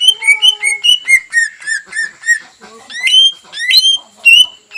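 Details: Greater green leafbird song used to provoke a rival into singing: a run of clear, repeated whistled notes with sharp upslurs and downslurs, loud and varied, continuing throughout.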